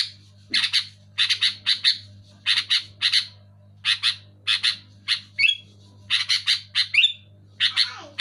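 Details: Sooty-headed bulbul sounding loud and clear for coaxing jammed bulbuls to sing: dense rasping notes in groups of two to four, several shrill downslurred squeaks late in the sequence, faint hum behind.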